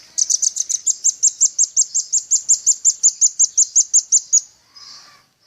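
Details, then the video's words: Male velvet-fronted nuthatch singing in full voice for a training recording, a long rapid series of high, piercing notes, roughly three per second, steady in pitch for four seconds before a brief softer rustle. "RAMBATAN PARUH MERAH GACOR"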